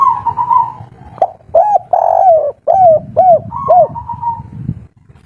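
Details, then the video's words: Local wild-type spotted dove, a 'kuk 3' caller, loud and agitated: a long buzzy tone, then a series of mellow, hollow arched coos, one stretched and gliding down, followed by another buzzy tone. "Derkuku tekukur kuk3 lokal alam asli ngamuk bikin ribut || suara besar"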